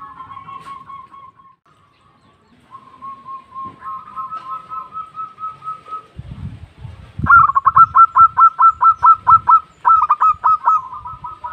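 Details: Local zebra dove calling to its companions: soft, drawn-out trilling coos at first, then a louder burst of quick, evenly repeated staccato notes over low rumbling background noise.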